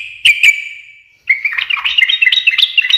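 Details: Sooty-headed bulbul in 'ngekek' style, described as getting other birds to answer straight away: two sharp notes with a ringing tail, a brief silence, then a lively stream of varied chirping, warbled notes.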